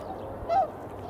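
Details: Eurasian coot in February around 8 in the morning: one short, clipped mid-pitched note, slightly arched, over steady low background noise.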